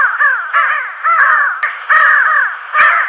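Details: Pin-tailed sandgrouse (Pterocles alchata) in La Mancha steppe farmland near Tablas de Daimiel and Villarrubia, Spain, gives harsh, nasal, grating flight calls, about four in three seconds. Each is a slightly wavering drawn-out note. Flocks fly fast over fields toward wetland watering spots.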